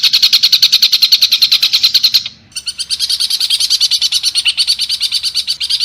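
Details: Long-tailed shrike training recording featuring rough 'tembakan kasar' phrases: a rapid, buzzy, stuttering trill of high notes, briefly breaking off mid-way before resuming at the same fast, steady pace.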